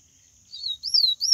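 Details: Brief excerpt of a wild yellow-bellied seedeater's Bahian-style song: two high, wavering whistled slurs, the second stronger, with a third beginning as the clip cuts off, over a constant faint high hum.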